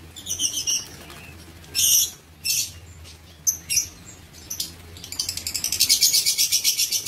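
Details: Lovebirds in an aviary on 19 September 2023 utter scattered shrill chirps and squeaks, building into a rapid, rhythmic high-pitched chatter at the end.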